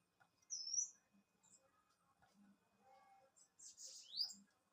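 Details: Bananaquit giving a brief high note, then after a pause a buzzy wheezing burst ending in a quick rising slur, with a soft low hum in the background.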